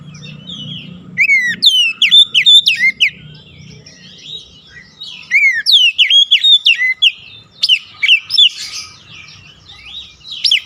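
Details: Oriental magpie-robin lure chirping aimed at getting a stressed kept bird singing: fast bursts of steep whistled notes in three phrases, quieter warbling between, faint low hum at the start.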